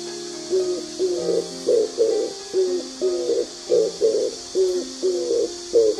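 An Oriental turtle dove gives low, hoarse cooing notes in a steady rhythmic series, roughly two phrases every second, with a faint hiss behind.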